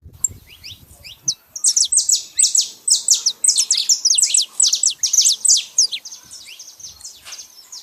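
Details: Saffron finch singing in nature: a fast, dense run of high, sharp chirps and short downslurred notes, packed into busy bursts after a brief quiet start, with low rumbling noise at the beginning.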